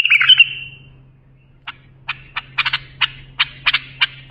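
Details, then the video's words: Bulbul song for training young bulbuls: a short bubbly warble fading out, a pause, then spaced sharp clicky notes, some doubled or tripled, with a steady low hum. "بلبل للساناته إبداع يفيد للتخريج صغار بلابل"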